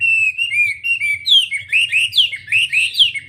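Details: Wambi singing clear, slurred whistles, starting level and steady, then turning into higher, more sharply inflected notes repeated a little more than once per second, with a faint hum behind.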